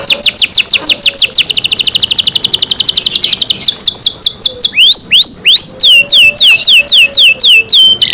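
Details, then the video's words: Pet canary kept by its owners singing loudly: a fast trill of steep downward sweeps, about ten per second, slowing after four seconds into hooked, looping whistled notes. "canary Nice sound"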